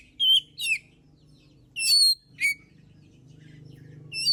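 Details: Kacer, the oriental magpie-robin, sings to prompt other birds: scattered loud whistles in pairs, sharp slurred notes separated by pauses, while a steady low droning hum builds toward the end.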